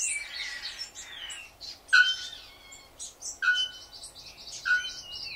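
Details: A male Bare-throated Bellbird gives loud, ringing metallic notes, one every second or so, over busy high chirps and twitters from other birds, including calls from swallow-tailed birds.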